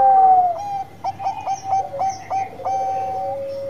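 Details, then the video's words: Bangkok zebra dove singing hard: a loud falling opening coo, then a rapid string of short clipped notes, each with a sharp onset, ending in a long level tone. "PERKUTUT BANGKOK GACOR"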